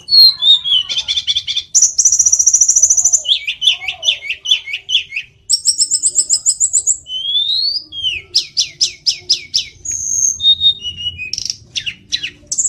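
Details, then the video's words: Hill blue flycatcher singing a fast, varied run of high sweet whistles, slurred notes and rapid chattering trills, phrase after phrase with hardly a pause. "tledekan gunung biar cepat gacor"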